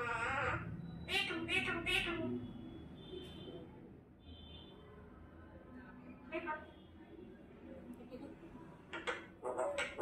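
A common myna talks, giving rapid, speech-like phrases in quick bursts with harsh, grating tones, followed by quieter murmurs and a few sharp notes near the end.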